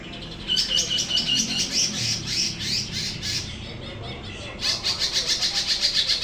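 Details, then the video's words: Greater green leafbird kept as a prospective vocal tutor: rapid high chattering phrases, a brief lull midway, then a renewed quick series of sharp repeated notes, all over loud constant hiss. "cucak ijo prospek siap jadi guru vokal"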